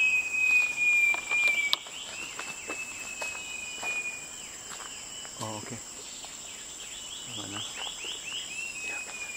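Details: Short-tailed Babbler at Venus Loop, Singapore, in tropical lowland forest, giving a run of clear, rising whistled notes, several a second, over a steady insect drone, with brief human voices.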